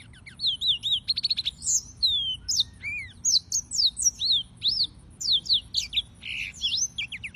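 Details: Yellow-fronted canary song, Serinus mozambicus, fast sequence of high whistled notes, buzzy trills and sharp repeated chips, varying constantly with hardly a gap; low hum underneath.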